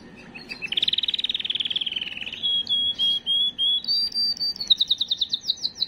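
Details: Canary song, a strong song used to stimulate and prepare females for breeding: a rapid rolling trill, then clear whistled notes, ending in a fast, even trill of repeated notes.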